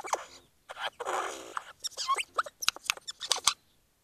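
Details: Eurasian jay imitating noises in the Eifel, Germany, 2 January 2019: a harsh rasping burst, then a quick series of clicks, squeaks and sharp knocking notes over about three seconds.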